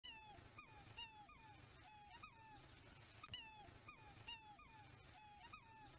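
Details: Black swans (Cygnus atratus) giving high, whistled bugling calls that flick up then slide down, about one each second, over a low steady rumble.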